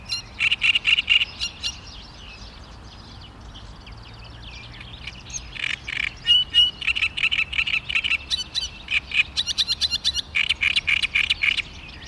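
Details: Great reed warbler recorded on 16 May 2013, delivering harsh, grating repeated chattering phrases in rapid bursts, with a brief pause mid-way before the loud churring notes resume and run on steadily.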